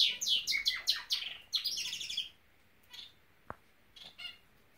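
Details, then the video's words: Norwich canary kept as a pet, singing a fast burst of bright, high chirps and trills for about two seconds, then a pause with a few soft scattered notes and one sharp click. "Nowrich Canary singing"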